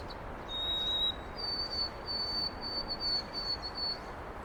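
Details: White-throated sparrow in Carl Schurz Park, New York City, recorded 25 March 2021. A steady whistled note is followed by a slightly higher whistle, then a long run of repeated three-note figures at that higher pitch. Constant urban hum sits below.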